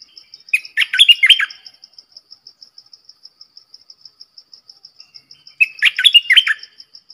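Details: Caged Streak-eared bulbul kept as a decoy to lure wild birds and to teach young birds to sing, giving a new song: two short bubbly, warbled phrases about five seconds apart, over a steady rapid high ticking like an insect throughout.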